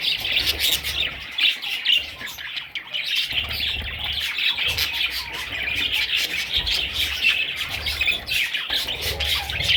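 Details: Young parrot chicks chattering nonstop, a dense mix of thin squeaky chirps and harsher squawks running throughout, over faint low background rumble.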